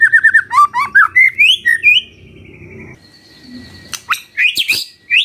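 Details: Magpie-robin morning song used to stir a silent bird into answering: quick whistled notes climbing in pitch, then a lull with a faint steady tone, then sharp clicks and a few high squeaky notes.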